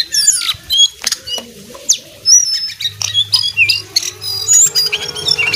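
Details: Jongkangan, a brown sunbird, singing lively: high, thin squeaky chirps and short sliding whistles packed in quick bursts, with some clicking notes and a faint low hum beneath.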